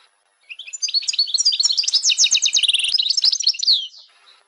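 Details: European goldfinch female twittering to arouse males: fast high chirps, about four per second, in a steady bright stream that fades out at the end.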